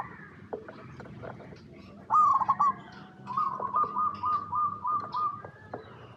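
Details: Local perkutut or zebra dove lure song for setting off other zebra doves: after quiet ticks, a loud rattling trill, then a long series of pulsed coo phrases repeating about three per second over low hum.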